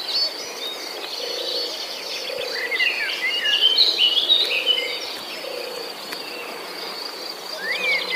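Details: Nestling birds left alone in the nest while their mother is away looking for food: busy overlapping high chirps and short sliding squeaks, some rising, over a steady high insect drone and soft low humming bursts.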